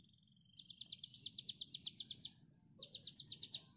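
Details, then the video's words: Common Iora song meant for training songbirds: a thin rising whistle, then a fast, even series of sharp, high chattering notes, a short pause, and a second quick burst. "MASTERAN KONIN Tembakan mantap!!"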